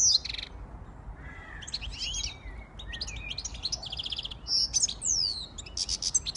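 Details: Siskin x goldfinch hybrid in song, mixing high twitters, a rapid rattling trill and long descending whistled slurs, with several loud buzzy bursts toward the end.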